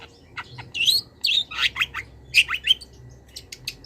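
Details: Long-tailed shrike master song for training cage birds, full of imitated wild-bird phrases: high whistled and buzzy notes, some sliding up and down, in quick uneven bursts with brief gaps.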